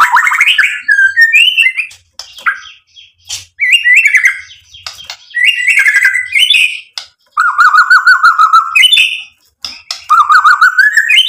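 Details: White-rumped shama singing to provoke and excite: long series of varied phrases, rising whistles, rapid trills and chattering notes separated by short pauses, loud and clear.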